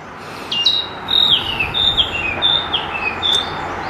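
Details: Narcissus flycatcher song at Kiyosato, Japan, on 15 July 2012: clear, high whistled notes that step downward, about five short phrases in four seconds, over a steady background hiss.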